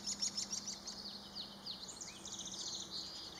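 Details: Black-capped chickadee on March 13th, 2022, uttering fast series of high chip notes and short downslurred calls, roughly three per second, with a constant low hum and hiss behind.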